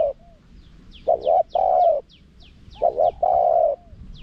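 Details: Spotted dove, small-voiced forest karam singing with khat and nun parts, used as a lure for wild doves. Two phrases, each a quick two-note coo and then a drawn-out mellow coo, over faint high falling chirps.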